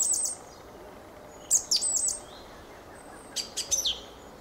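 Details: Fieldfare song in three short bursts of squeaky, chattering high notes with brief metallic whistles, separated by pauses of about a second, over a quiet background.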